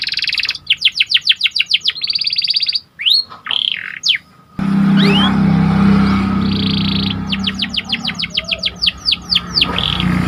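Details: Canary of the Panda variety singing actively to stir excitement: fast trains of high sweeping notes and buzzy rolls, with a loud low hum entering midway.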